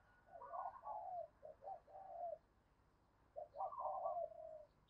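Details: Female dove calling to attract and stimulate males, heard faintly over steady background hiss: rolling coo phrases with a long vibrating note and short falling notes, repeated twice.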